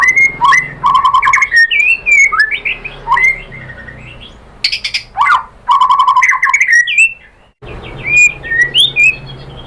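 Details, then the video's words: White-rumped shama song meant to set other birds singing: varied whistled phrases, rising and falling, with repeated lower notes and bursts of sharp clicks, a brief quiet gap near the end before more whistles. "KICAUAN MURAI BATU bikin NYAUT ikut BUNYI jadi GACOR BONGKAR MATERI ISIAN ¦ PANCINGAN MURAI"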